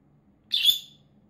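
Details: Pet peach-faced lovebird indoors giving one short, sharp, high chirp over a faint low hum.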